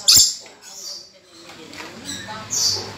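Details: A red lory, tame and vocal, gives two harsh, high screeches, one at the start and another near the end, with softer scratchy chatter between them.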